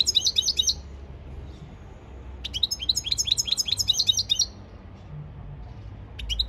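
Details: European goldfinch in song training, two bursts of rapid, twittering high notes in repeated fast phrases, separated by a short pause, over a faint low hum.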